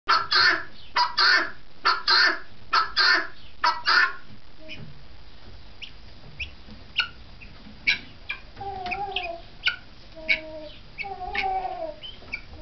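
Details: Helmeted guineafowl at a farm in New Hampshire: a loud burst of harsh, rasping notes repeated rapidly for about four seconds, then fainter scattered calls and softer clucking notes.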